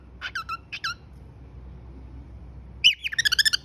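A cockatiel gives two short bursts of bright, warbling whistled notes, pauses, then rattles off a quick run of about eight high chirpy whistles over a faint low hum.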